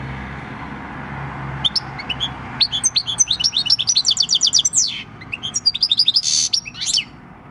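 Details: Six-year-old European goldfinch of wild field origin singing its countryside song, 26 December 2019: scattered chips building into a rapid run of bright, evenly repeated notes, a buzzy rasp and quick twitters.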